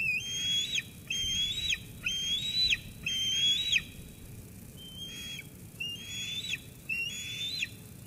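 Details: Sauces Canyon eaglet on 13 June 2021 squeeing at its mother after she brings food, driving her away before eating; eight high whistled squees, rising then snapping downward, nearly one per second, the later ones softer.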